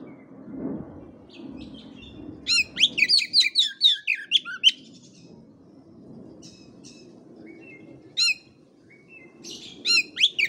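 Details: Master recording of an Oriental magpie-robin, used to stimulate kacer whose song is not yet loud: dense rattling run of high chirps and whistles, later short scattered two-note phrases, with a low murmuring background throughout.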